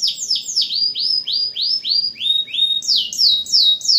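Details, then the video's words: Canary, singing to stir other silent canaries into song, repeats rising then falling whistled notes about three per second, shifting pitch between sets, clear and bright. "KENARI GACOR AMPUH PANCING KENARI MACET BUNYI LAGI"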